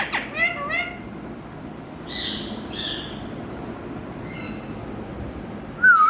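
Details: Indian ringneck parakeet, shown as a colourful talking bird, makes a few scattered notes: quick wavering whistles at the start, two hoarse bursts in the middle, then a loud upward-curving squawk at the end over quiet hum.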